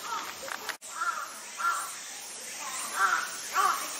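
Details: Captive Chilean flamingo at Yumemigasaki Animal Park, a free park in Kawasaki City, Kanagawa Prefecture, Japan: short nasal honks repeated about every half second to second, over a steady hiss of background noise with a sharp click early on.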